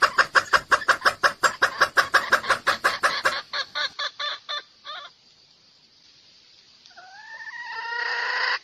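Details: Red junglefowl decoy call for trapping male birds: rapid rhythmic clucking that slows and fades, a quiet gap, then a rising, strongly harmonic crow at the end.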